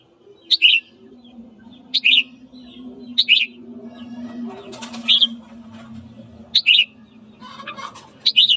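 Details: Morning red-whiskered bulbul song for stirring up fights: six crisp whistled phrases spaced one to one and a half seconds apart, each a quick high note dropping into a warble, with a steady low hum beneath.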